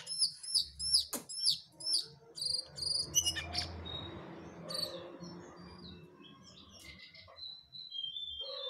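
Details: A jongkangan bird in full song shortly before it disappeared: a quick run of sharp, high whistled notes over two seconds, then softer scattered whistles and thin slurred notes against a low background rumble.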